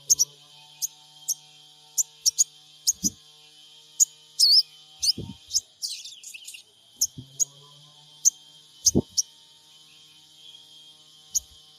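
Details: Android phone recording from Purbalingga of a sogon trotol, played as a lure to provoke calling: crisp high chirps in quick irregular sequence, a twisting buzzy phrase in the middle, and occasional low thuds.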